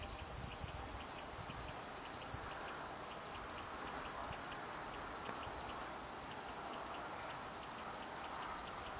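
A Short-toed Treecreeper gives a run of short, piercing, high notes that drop slightly in pitch, about one every second, over a faint steady hiss.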